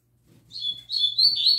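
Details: Brief tui tui zel zel phrase from a young double-collared seedeater: clear high whistled notes running together and lifting slightly in pitch, over a steady faint low hum.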